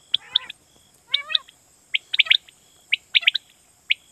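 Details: Quail call from Pakistan used to lure birds for night hunting: a brief buzzy trill and a rising warble, then snappy high notes in tight clusters, over a steady thin electronic tone.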